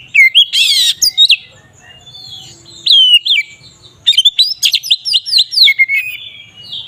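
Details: Magpie-robin performing ngeplong song to rile rival magpie-robins: a rasping burst and whistled slurs, a pause, then a rapid rhythmic series of sharp descending whistles ending in lower falling notes.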